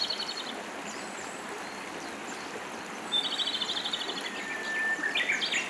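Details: Japanese robin in Hiroshima, 2019, delivering quick rattling trills that follow a thin lead-in note, with a gap between phrases, against constant loud stream noise.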